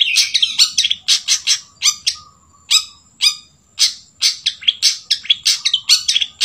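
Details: Long-tailed shrike trained on sooty-headed bulbul song, giving a long series of sharp, chattering, scratchy notes in quick bursts with short gaps between groups.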